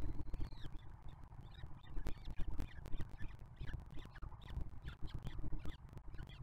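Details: Peregrine falcons at a nest box at Madrid's Museo de América in breeding season, where a 2023 juvenile feeds its 2024 siblings, give a run of harsh, scratchy calls several times a second over a heavy low rumble of wind.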